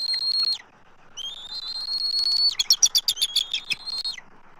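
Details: On a Southwest Florida nest cam in March 2024, adult eagles call at an immature eagle circling the nest tree. A high whistle drops away, then a long rising whistle breaks into a fast series of sharp clipped pulses.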